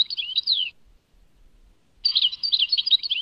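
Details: European goldfinch in Tadmait song style giving two short phrases of sweet, slurred twittering notes separated by about a second of quiet.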